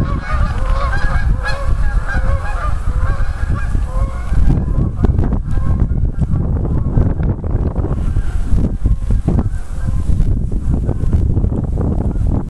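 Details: Canada geese lifting off the Allegheny River near West Hickory, Pennsylvania: a burst of repeated honking from several birds in the first few seconds, then mostly rushing, splashing noise from wings and water with occasional faint honks.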